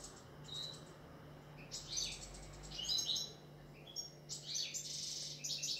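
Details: Singing goldfinch giving high, tinkling twittered bursts, each a second or so of fast liquid chatter, separated by short quiet gaps, with a steady low hum in the background.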